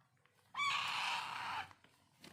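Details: Alexandrine parakeet (Pahadi parrot) chick during daily hand-feeding, giving one harsh, raspy begging screech about a second long that slides downward, with faint handling noises before and after.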